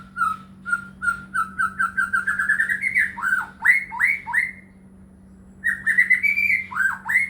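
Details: White-rumped shama (murai batu) lure song for caged shamas reluctant to sing: a steady series of short whistles climbing in pitch, then deep down-slurred notes, a pause, and a further warbled run.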